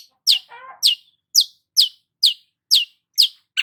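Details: Sunbathing long-tailed shrike repeats a sharp downslurred note about twice per second, with a brief low warble near the start.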